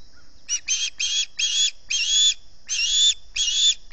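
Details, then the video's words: Ospreys on a Salt Point nest at about 6:15 in the morning, 11 August 2020, calling from hunger: loud, harsh whistled squeals, some short, some drawn out, repeated at irregular intervals with little background noise. "Early morning hunger pains"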